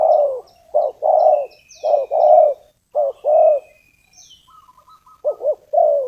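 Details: Spotted dove kept as a lure to attract wild doves coos steadily in low, rounded notes, short and long ones alternating, with brief chirps and a high drawn whistle from other birds behind.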